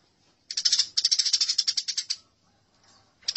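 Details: House sparrows fighting: a fast, harsh chattering burst of high chirps, about ten per second for nearly two seconds, then a short pause and a fresh outburst.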